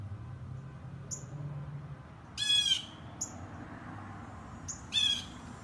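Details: A blue jay heard from afar, the recordist keeping back so it would not flee: two rasping, harsh squawks about two and a half seconds apart, with faint higher short notes between them and low background rumble.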